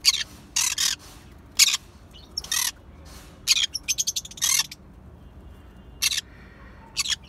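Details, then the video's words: Yellow-sided conures chirping in scattered harsh bursts, some doubled and one rapid stuttering series, over faint background hiss. "Yellow sided conures chirping"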